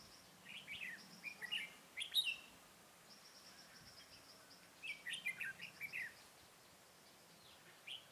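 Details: Red-whiskered bulbul decoy bird singing to lure wild bulbuls into a trap, recorded 23 October 2017: two bursts of short, bright, whistled chirping phrases, one early and one after a pause, over faint steady background noise.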